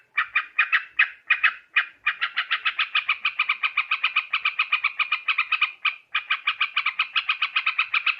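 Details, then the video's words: Sooty-headed bulbul calls for luring birds into traps: harsh, bubbly notes rattled off rapidly, with short stuttering groups at the start, then long even runs broken by one pause. "Suara trucukan khusus buat mikat"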